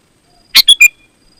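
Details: Sooty-headed bulbul calling to lure other bulbuls: three short, bright notes in quick succession, the first burst harsh, the last two clearer and slightly lower.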